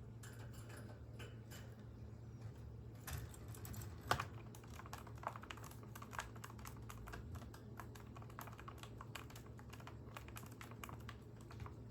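Keyboard typing, rapid irregular clicks over a low steady hum, with no animal voice.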